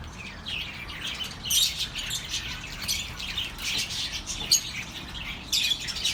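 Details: Chirping birds meant to relax lonely pet birds: quieter opening, then rapid high tweets and chatter in clustered bursts, with a sharp squeak around four and a half seconds.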